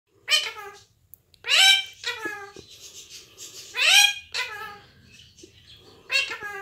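An Indian ringneck parakeet chatters in four bursts of bright, raspy, speech-like phrases, each rising sharply, with short pauses in a quiet room.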